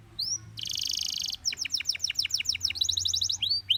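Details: Gloster canary singing to encourage other canaries to sing: a short rising whistle, a buzzy trill, then a run of repeated downslurred whistled notes and a fast high trill.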